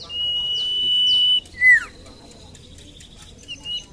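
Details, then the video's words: Common iora singing: a long, level, piercing whistle holds for over a second, then breaks into a lower downward-sliding slur. Brief descending chirps sit alongside, then sparse high notes follow. "PANCINGAN BURUNG SIRTU / CIPOH MALAS BUNYI"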